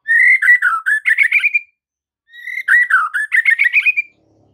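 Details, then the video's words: White-rumped shama master song used to train caged birds: two loud rich whistled phrases, each opening with a rising slur and breaking into rapid warbled notes, separated by a short silence; clean background. "MASTERAN Murai Batu"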